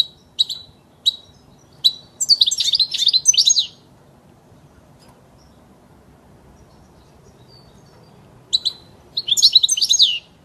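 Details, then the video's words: European goldfinch singing, for training young birds: a few spaced high chirps give way to a tumbling, liquid twitter lasting nearly two seconds; after a long pause, chirps and another twittering phrase. "صوت الحسون الاصلي خالي من الاخطاء لتسميع الحسون وتعليم الفراخ"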